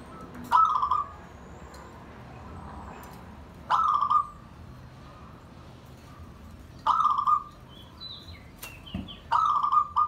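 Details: Zebra dove kept as a pet, calling to bond and invite other birds: short bursts of rapid, stuttering coos, each about half a second, repeated every three seconds or so, with faint high chirps from other small birds in between.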